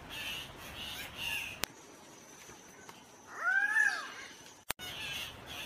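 Guianan cock-of-the-rock giving a single harsh, crow-like squawk that rises then falls, lasting under a second, against faint background hiss.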